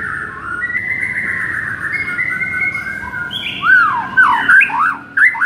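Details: White-rumped shama song from a rousing track for a sluggish bird: a long, soft, wavering whistle, then loud, rapid, looping whistled notes sweeping up and down.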